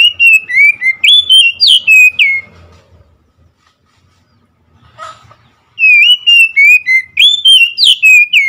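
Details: Oriental magpie-robin singing two loud bursts of rapid, sweet whistled notes with sliding pitch, each burst about eight notes long, split by a quiet gap holding one brief faint sound.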